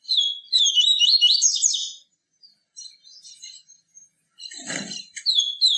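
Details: Yellow-bellied seedeater, pure tui tui viviti song for training and stimulating caged birds: a quick, descending twittering phrase, faint scattered notes, a short knock, then another phrase begins.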